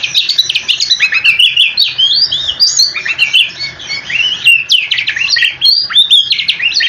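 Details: Oriental magpie-robin pouring out a long rolling song used to provoke replies from other magpie-robins, mixing sweet whistles, rising and falling slurs and rapid scratchy trills.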